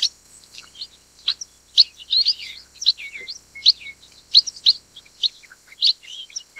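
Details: Black-headed (Chestnut) munias (Lonchura atricapilla) give thin, high chirps and short twittering notes every half second or so, with a steady high hiss behind them.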